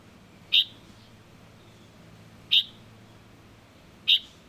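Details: Juvenile Light-vented bulbul: three loud, high, clipped notes roughly two seconds apart, with faint hiss in the background.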